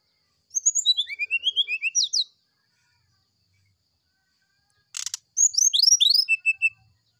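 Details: Fluting morning song of an oriental magpie-robin: rapid series of high, sweeping whistled notes, many rising, delivered about four per second in two bursts split by a sharp click, ending in short repeated level whistles.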